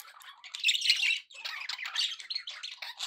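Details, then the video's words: Happy pet budgies in continuous chatter: rapid raspy warbling notes and short squawks tumbling together, steady and busy throughout. "happy budgie sounds"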